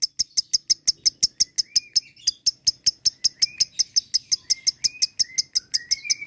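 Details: Lovebird ngekek song, a long, fast, even chain of shrill chirps, about five per second, with soft rising whistled notes woven underneath for the whole stretch.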